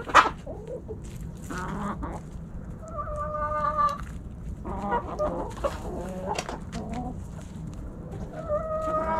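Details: Backyard hens and roosters snacking at Thanksgiving: a sharp opening squawk, then repeated clucks and several sustained, level tonal calls from the flock over steady low noise.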